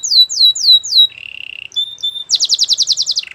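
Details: Canary song opening with four descending slurred whistles, then a low buzzing roll, two brief notes, and a very fast bright trill of repeated high notes.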